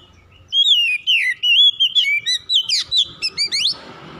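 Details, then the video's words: Kacer, the oriental magpie-robin, singing as a lure recording to get a quiet bird singing: a rapid run of short whistled notes, some looping or rising steeply, delivered about once per second and then ending in a high upward sweep. "MEMULIHKAN KACER MALAS BUNYI CEPAT GACOR"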